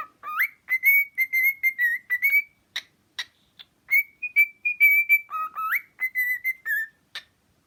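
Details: Cockatiel (Nymphicus hollandicus), whistles.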